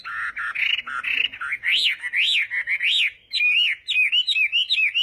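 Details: Chinese hwamei morning song for voice training: clear whistled phrases that sweep up and down in a loud, varied series, with quick arching notes repeated about twice a second.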